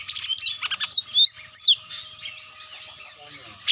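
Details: Cucak mini lure call used to draw birds down: quick bright chirps and upslurred whistles in a busy burst, then a quieter stretch with a steady faint tone underneath and one sharp note at the end.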